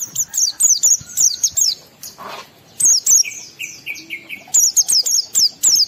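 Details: Oriental white-eye singing to provoke other white-eyes into emotion and breeding urge; quick clusters of high, thin, down-slurred chirps, a brief pause, then lower whistled notes and another rapid high burst.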